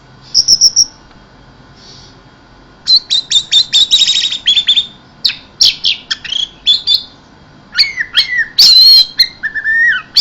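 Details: Orange-headed thrush singing in the Indonesian 'mabuk teler keserr' style: a varied run of sharp high whistles, rapid chattering notes and buzzy slurred phrases, loud and dense in bursts, with a brief pause near the start.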